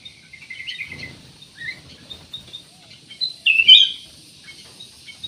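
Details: Black-naped oriole singing energetically to prompt other birds to sing: soft high chirps and a brief slurred note, then a loud rasping burst late in the clip, with quiet pauses.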